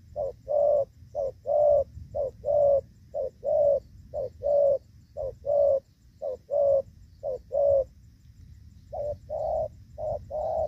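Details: Rainy-season trapping in Vietnam with a spotted dove decoy giving gù vấp coos: regular low paired notes, short then sustained, repeated for about eight seconds, a brief pause, then resuming, low background rumble throughout.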